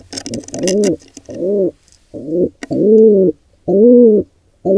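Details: Wild pigeons at a nest where an intruder pair attacks a nestling: a series of low, rounded coos, each about half a second long, repeated with short gaps, with brief scratchy scuffling at the start.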